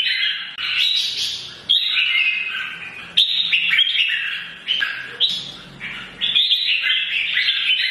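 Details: Morning song from an old wild-caught red-whiskered bulbul, meant to provoke fighting: repeated bursts of loud, jumbled whistles and chirps, each phrase starting sharply and fading before the next.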